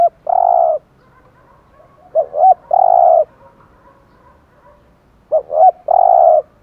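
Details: Repeated low cooing of a spotted dove in 'giọng thổ' style, used to get decoy birds cooing. Each phrase is two short wobbling notes and a held coo, about every 2.5 seconds, over a faint background hum.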